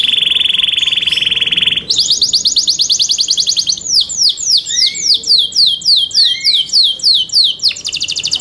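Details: Competition song of a kept Yorkshire canary: a sustained buzzy tone, then a fast high trill, followed by steady down-swept whistled notes about three per second with occasional low rising whistles.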